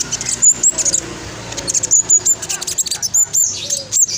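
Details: Black sunbird of the spotted kind, a lure for reluctant singers, producing repeated high, thin upslurred squeaks and clipped chips in irregular quick bursts over faint background hum.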